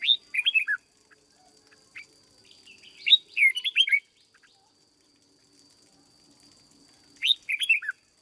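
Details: A trained decoy red-whiskered bulbul in a cage sings brisk warbled phrases of four to five slurred notes, a longer pause, then the phrase again near the end; faint steady whine throughout.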